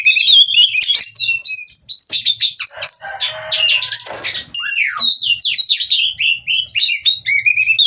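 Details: Oriental magpie-robin wanting to mate, in breeding condition and performing the ngobra display, from a breeder in Cirebon: lively stream of high whistles, sharp chips and raspy notes, ending in rising and falling slurred whistles.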